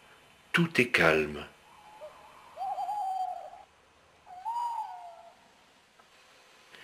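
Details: Around 5 a.m. in the grounds of château de Lorge, Côtes d'Armor, France, a wooded estate with ponds: a man speaks briefly, then an owl gives two long, hollow, slightly wavering hoots, each about a second, in quiet dawn.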